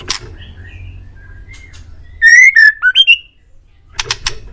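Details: Male white-rumped shama singing on an Indonesian master recording meant to make caged birds reply: soft scattered notes build into a loud run of rising and dipping whistles, followed by brief rasping clicks.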